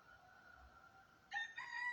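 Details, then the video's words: Rooster crowing once more behind a man's voice; a faint steady tone is followed by a sudden loud, harsh, many-toned crow that starts sharply and holds to the end. "O Galo tá cantando de novo. Tô fora."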